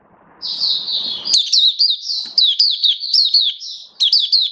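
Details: Caged white-eye kept as a hobby songbird, recorded 19 September 2022, singing in build-up form: a rapid run of high, sweet, slurred warbling notes after a brief low rumble, with short sharp accents near the end.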